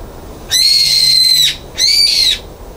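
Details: Brown-eared bulbul screaming on a balcony after being banned from the feeder, 9 February 2022: two loud, shrill, harsh screeches, each held at a steady high pitch, the first about a second long, the second shorter.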